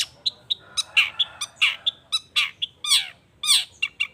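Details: Long-tailed shrike in energetic lure song meant to make other shrikes reply: steady series of short chirps and harsh rasping notes, with a few longer descending buzzy slurs, over faint low hum.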